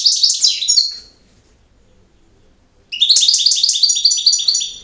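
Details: Goldfinch singing campero song. A short run of high twitters ends, then after about two seconds of quiet a long, lively phrase of rapid, jangling chirps and buzzy trills follows.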